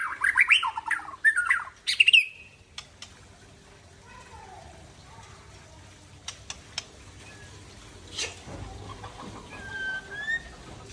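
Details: Caged Murai Aceh white-rumped shama singing after its midday bath, pouring out learned 'isian' fill phrases: about two seconds of loud, rapid whistled and chattering notes, then near-silence with faint distant chirps and a thin whistle.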